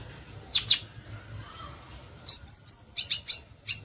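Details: High, thin song of the violaceous euphonia (guriatã): two sharp notes, a pause, then a quick series of bright whistled and chipped notes.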